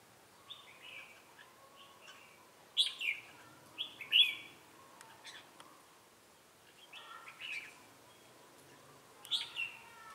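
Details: Trapping decoy red-whiskered bulbul in Bình Phước, Vietnam, 25 June 2018, giving "ché"-style song: bursts of rich warbled whistles and sharp rising notes in several loose phrases, with a fainter second bird answering in the background.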